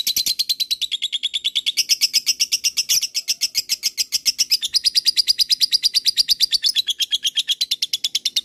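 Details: Lovebird of the fighter kind singing its prized long 'ngekek' trill, used as a lure so other lovebirds answer: a sustained rapid run of shrill chattering notes, pitch stepping up and down in sections.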